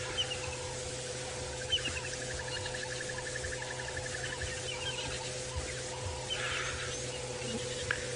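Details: Brown-hooded Kingfisher in Sabi Sand, South Africa, around sunrise on 15 March 2018 on a warming morning gives a quick run of evenly spaced, mid-pitched piping notes lasting about three seconds, over a steady safari-vehicle engine hum and other faint bird calls.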